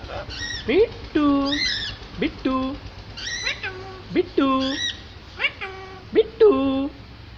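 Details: A small pet parrot trying to talk: short harmonic utterances with sharp rising swoops into flat nasal tones, about seven bursts spaced irregularly over several seconds, with a quiet background between them.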